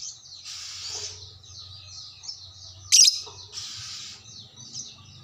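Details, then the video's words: Lovebird calling back to another lovebird: two patches of harsh, hissing high chatter around one loud, piercing squeak in the middle, with thin twittering notes between. "sekali pancing langsung nyaut burung LOVEBRID Lain"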